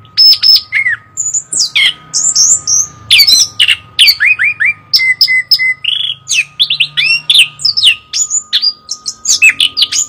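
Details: Chestnut-capped thrush (anis kembang) pouring out a fast, varied song of high whistles, slurred down-sweeps and sharp chirps in dense bursts, with a steady faint electrical hum running underneath throughout.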